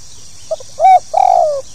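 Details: A single brief phrase of the spotted dove's 'pokal tanggung' call, with two quick soft notes, a full level coo, then a long coo gliding down in pitch.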